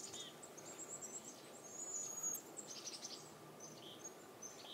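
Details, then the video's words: Cedar waxwings in a backyard give thin, very high lisping hisses, drawn out and repeated, while chickadees, nuthatches and crows chip and chirp in the background over soft ambient noise. "Cedar Waxwing Calls"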